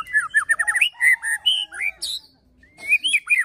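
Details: Rich white-rumped shama fighter song used to provoke other shamas: a fast series of down-slurred whistles, then clear fluty notes and a squeaky phrase, a short silence, then more varied whistling.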